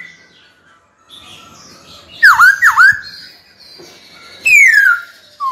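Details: Caged white-cheeked laughingthrush singing to call a rival bird to fight: two loud up-hooked whistled notes, then a clear descending slurred whistle, with softer rambling notes and faint background noise before them.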